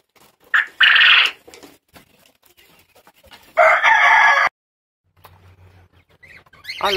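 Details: A male Japanese quail gives two loud, harsh, buzzy crows about three seconds apart; only males make this call. Faint background noise and a low hum fill the gaps.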